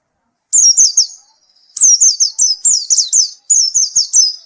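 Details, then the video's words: Clear white-eye song of crisp, high descending whistled notes delivered in quick groups of three or four, repeated after short gaps. "pleci gacor mp3"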